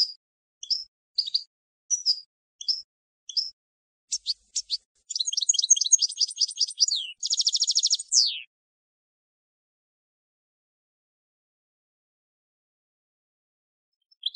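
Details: European goldfinch song meant for schooling young decoy birds for field contests: rapid high twittering notes, short phrases then a dense buzzy trill and a falling slurred note, followed by silence.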